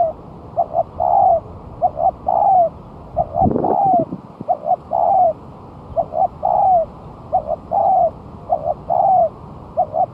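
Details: Spotted dove a month past its moult, set down on the ground as a lure: about nine rhythmic phrases, each two brief coos and a longer downslurred note, repeated roughly every second, with a brief rustling thump midway.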